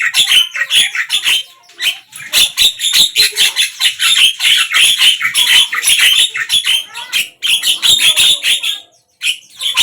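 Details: Javan myna song, given morning, midday and evening: a near-continuous stream of rapid harsh chattering and squeaky notes, many per second, pausing briefly near the end.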